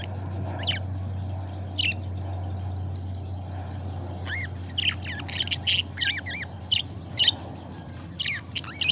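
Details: Two pet budgerigars, called best friends, let out scattered bright chirps and short rising notes. These become more frequent in the second half, over a steady low background hum.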